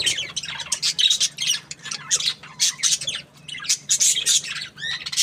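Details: Happy budgie giving busy, high-pitched chatter: scratchy squawks mixed with quick chirps in uneven bursts roughly every second, over a soft constant low hum.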